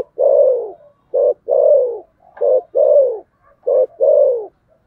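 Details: Spotted dove, a fighting bird, in 'thổ sấm' coo: a rich, low, descending coo, then a brief clipped note and another long falling coo, alternating three times at a steady pace.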